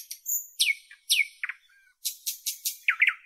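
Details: Nightingale of northern Europe in full song: sharp descending slurs repeated twice, low clicking notes, a run of strong broad chopped notes, and a final pair of deep rich calls.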